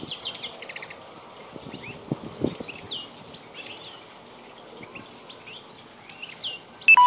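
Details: Wild goldfinch given as Carduelis balkania, 2010 recording. Fast, high, tinkling twitters and buzzy chirps come in bursts over quiet gaps, with a few low knocks.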